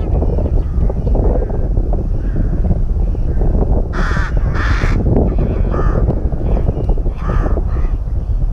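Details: Rooks at a nest in a colony at Tyrnovo, giving two loud harsh rasping caws close together, then fainter hoarse calls, over constant low rumbling wind noise.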